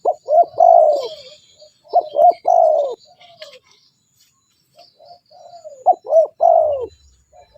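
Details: Spotted dove calling, used as a lure for other doves: phrases of low, rounded coos, two short notes then a longer falling coo, repeated roughly every two seconds, with faint chirps of other small birds in the background.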